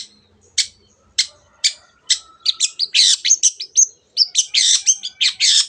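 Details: Long-tailed shrike in energetic 'teot teot' song meant to rouse other birds into singing: spaced sharp chips every half second speed up into dense, scratchy, high chattering phrases, no other sounds.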